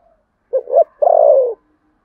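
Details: Single cooing phrase from a spotted dove in contest cooing, Sấm Thổ voice style. Two short soft hoots lead into a sustained coo that gradually falls in pitch. The background is quiet.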